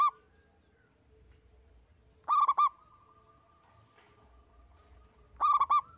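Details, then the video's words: Local zebra dove singing, played to coax other doves into calling; brief clusters of three or four rolling coo notes at roughly three-second intervals, with a faint steady hum between them. "Kutut Lokal Gacor‼️ENGKEL Untuk Pancingan Bunyi"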